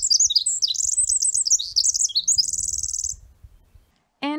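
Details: Pacific wren song, played as an example of the species' song, a bird of coastal and southern interior British Columbia. A rapid, very high tumble of tinkling trills and twitters for about three seconds, then a pause before a voice speaks.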